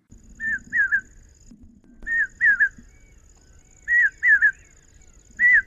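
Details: Common hawk-cuckoo, the brain fever bird, whose call in Maharashtra is read as a Marathi phrase meaning 'get ready to sow the grains', taken by farmers as a sign of coming monsoon; shrill whistled phrases of two to three notes repeat over a low hum.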